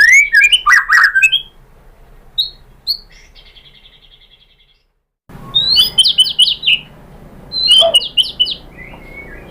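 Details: White-rumped shama lure song to get other shamas singing: a dense burst of mixed whistles, scattered thin notes, a silent stretch, then rapid high chirping runs.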